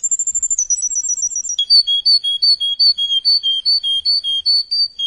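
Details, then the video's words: Tutor song meant for young canaries to learn from. It opens with a fast, high, rapid trill that steps down in pitch, then settles into a steady alternation of two clear whistled notes repeated quickly. "Тирайник пени для маладой канарейка"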